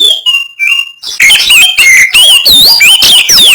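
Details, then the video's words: Loud, close Oriental magpie-robin giving harsh 'kasaran' song to provoke rival birds: a few level whistles, then rapid, overdriven bursts of rasping and looping whistled notes, about three per second. "Materi Kasaran Burung Kacer Gacor, Bikin Lawan Gembung"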